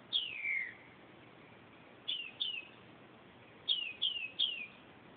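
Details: In the middle of the night, 2:30 am, a northern mockingbird sings one long downward-sliding whistle, then clusters of two and three shorter falling whistled notes, all high and clean over faint background noise.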